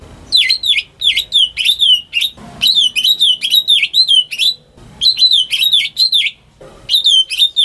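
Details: Greater green leafbird kept at home to coax stuck birds into singing, pouring out dense, rhythmic whistled phrases that dip and rise, in three long bursts separated by brief gaps and soft clicks.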